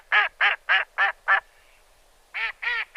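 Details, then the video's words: Farm duck quacking in a quick series of five nasal, harmonic quacks, about three per second, then a short pause and three more quacks; no other clear sounds. "ONLY FARM ANIMAL SOUNDS WITH NAMES, for children and parents - cow, duck, sheep, horse"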